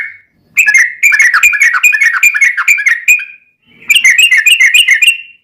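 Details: Lively ropel panjang song of a Yellow-vented bulbul, a lure for captive birds to sing back: two bursts of rapid chattering, bubbly whistled notes, each over two seconds long, separated by a short pause.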